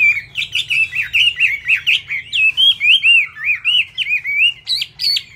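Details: Fast-paced Chinese hwamei song from a bird still wet after bathing: a steady chain of looping, rising-and-falling whistled notes, about three per second, capped by sharp higher calls.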